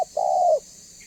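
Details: Persistently calling banggo-type spotted dove, used to bring other doves calling and approaching; one sustained, deep coo holds level, then drops at the end, with a clipped fragment of an earlier note at the very start.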